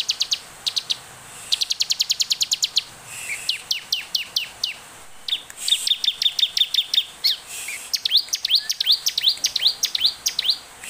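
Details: Olive-backed tailorbird singing as a lure for other birds: fast trilled runs switching into repeated sharp downslurred then upslurred whistled notes, high-pitched and nearly continuous.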